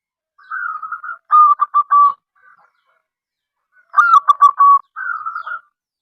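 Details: Local zebra dove (perkutut) singing to invite other doves to call: twice a smooth, level coo runs into rapid staccato cooing notes, followed by one more smooth coo at the close.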